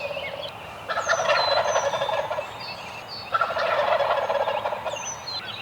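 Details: Eastern wild turkeys sounding off from their roost one morning: two long rattling gobbles separated by a quieter gap, accompanied by thin descending whistles and chirps of smaller birds.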